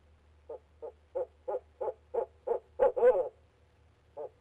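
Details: Male barred owl calling from inside a nest box on a live nest camera, a steady run of short low hoots about three per second that swell in loudness, ending in a rougher double note and one last hoot.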